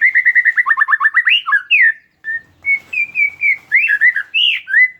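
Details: Oriental magpie-robin (kacer) singing, used as a lure to make a silent bird sing: a fast run of repeated whistled notes, then rising and falling whistles and slurred phrases after a short pause.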